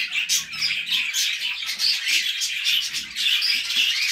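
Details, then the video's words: Warbling budgerigars alongside cockatiels give rapid-fire high twitters and squeaks in overlapping bursts, forming a steady, bubbling chorus throughout. "budgies song"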